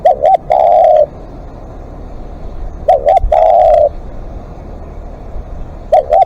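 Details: Live decoy spotted dove in long calling: repeated phrases of a quick double coo followed by a sustained coo, about every three seconds, close and loud, over a steady low background hum.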